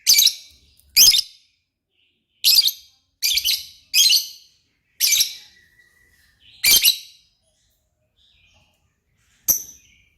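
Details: Lovebird in energetic song (gacor), a series of sharp, shrill, raspy chirps at irregular intervals, some in quick pairs, with a thin whistle trailing after one note and longer pauses near the end.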